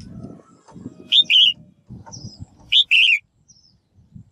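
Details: A female bird's call meant to stimulate males to sing: two loud paired notes, each a rising chip then a buzzy trill, about 1.6 seconds apart, over low rumbling background noise.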